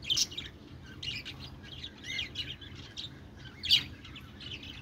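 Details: Parakeet chirping: soft chattering twitters broken by a few louder, piercing squeaks, one sharp call standing out near the end; quiet low hum throughout.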